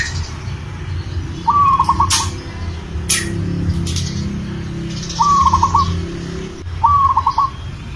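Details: Local zebra dove in breeding condition calling a female: three low, soft cooing phrases near one pitch, each a held note breaking into quick stuttering pulses, spaced a few seconds apart, with brief higher chirps from other birds and a low background hum.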